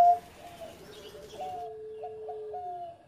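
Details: Zebra dove, a one-time contest champion, in engkel-style song with a sweet cengkok rhythm. Soft, low, drawn-out coos and gentle hooting notes carry over faint background hiss.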